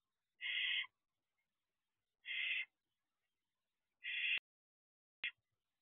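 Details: Roughly two-month-old barn owl in its owl box just after midnight, 6/2/23, giving three separate hoarse, hissing screeches about two seconds apart, the last ending in a sharp click, then a lone click.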